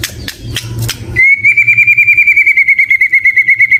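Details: White-rumped shama in varied song: a few sharp clicks, then a long, even, rapid trill held on one pitch for over two seconds.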